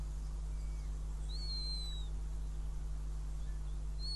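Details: Northern goshawk, nest in Riga, 5 June 2016, with a mouse as prey. One clear, thin, high whistle drifts slightly downward, followed near the end by a brief second note, over a continuous low hum.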